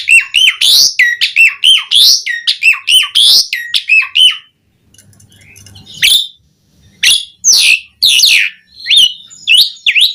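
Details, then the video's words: Asian pied starling singing steadily: a fast series of repeated, looping whistled notes, then a brief quiet gap with a faint low hum, followed by scattered loud, harsh squawks and rising whistles. "Suara Jalak Suren Gacor Melimpah"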